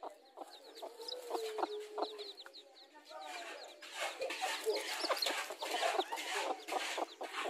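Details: Garden scene of mother hens and chicks, the hens said to clash over territory: sharp clucks and a drawn-out low note first, then a burst of harsh broadband scuffling noise with scattered peeps.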